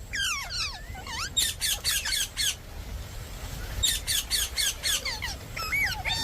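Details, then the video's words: Indian parrot giving harsh, rasping squawks in bursts, some rising and falling screeches, with repeated loud pulses and faint background noise. "Parrot ki video #mitthu 🦜#indian parrot"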